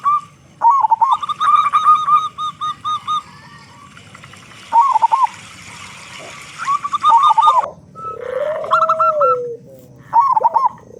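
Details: Local zebra dove with a big voice, singing to encourage other doves to sing: irregular runs of short, clear cooing notes and rolled trills separated by pauses, with a lower, drawn-out whistle from another bird near the end.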